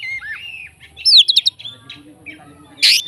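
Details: Short stretch of fighter-style Oriental magpie-robin song, filled with fill-ins to rouse other magpie-robins: a falling whistle, a quick bright trill, scattered chips and a harsh burst at the end.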